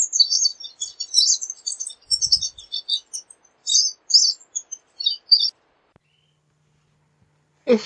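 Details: Pine siskin twittering rapidly in a long jumble of high, squeaky notes that stops abruptly, followed by quiet and a sudden short noise at the end.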